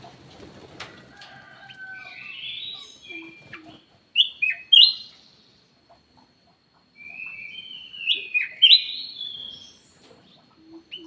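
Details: Cucak emas, the ruby-throated bulbul, giving its lure call: two groups of loud, clear slurred whistles separated by a quiet gap, with some faint rustling at the start.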